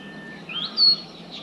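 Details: A Brownish-flanked Bush Warbler (Horornis fortipes) in urban Shanghai, China, gives a thin, high whistle that slides upward and holds briefly on a loud, pure note, over a faint low background rumble.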